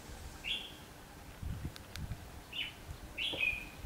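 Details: Decoy red-whiskered bulbul at a trapping session on 19 November 2015: three short, sharp whistled phrases spaced about a second apart, with faint clicks and low thumps between them and distant talk just before.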